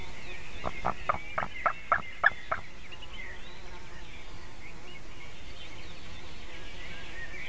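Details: Young white-tailed eagle on its nest in Latvia, morning of 17 June 2019, while a buzzard approaches and lands nearby: a quick run of seven loud clipped yelps, then distant songbirds and steady outdoor hiss.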